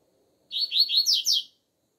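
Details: Outdoor double-collared seedeater in the alegria tuí tuí zeo zeo song style, heard as a training song. One brisk phrase of clear, high, slurred whistles rises in the closing notes, with faint low murmuring beneath.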